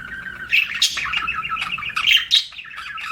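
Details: Budgie chirping as a pet bird: a steady stream of warbled, slightly buzzy chatter with bright squeaky peaks popping out several times.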